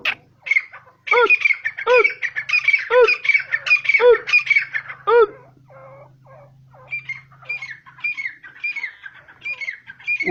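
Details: Grey francolin, locally called Dakhni Teetar, in its natural habitat in Pakistan. Loud harsh notes with stacked overtones, repeated about once a second, mixed with rapid squawking chatter. A low steady hum runs underneath.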